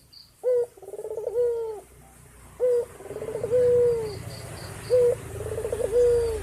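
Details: White dove male calling to a female in energetic gacor style. Three low phrases each open with a short accented note, then a rapid throbbing pulse and a drawn-out level coo. A soft low rumble runs underneath, with faint high ticking.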